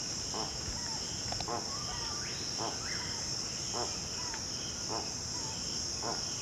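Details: Spix's guan from the Amazon, a bird of lakesides and rivers, giving slow grunting song: rasping, ladder-like notes spaced about a second apart, mixed with brief rising and level whistles, beneath constant shrill insect noise.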